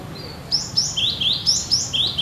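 A Cinereous tit sings a brisk run of sharp, rising whistled notes, about four a second, switching between a higher and lower pitch, over a faint low hum.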